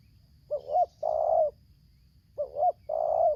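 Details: Spotted dove lure bird from Lampung in 'tarik akar selang nguku' style, singing two identical phrases of paired rising coos followed by a long, coarse, steady coo, about two seconds apart.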